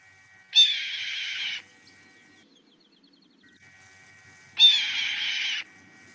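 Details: A Red-tailed Hawk gives two hoarse, raspy screams, each about a second long and four seconds apart, over a faint steady background hum.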